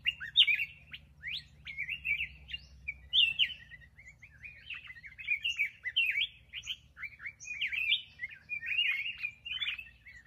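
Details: Black-crested bulbul pouring out a near-continuous chattering warble of rapid, jumbled whistled notes, broken by a few short pauses, over about ten seconds. The background is quiet.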